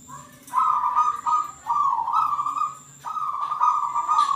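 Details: Local zebra dove giving smooth, sustained low coos that rise and dip slightly, linked into a long phrase broken by short gaps, with faint higher tones behind.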